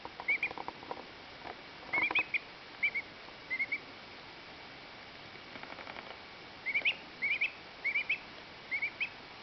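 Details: Happy two-week-old duckling peeping while preening its feathers: small clusters of soft high wavering peeps, two or three at a time, separated by pauses, with faint rustles between.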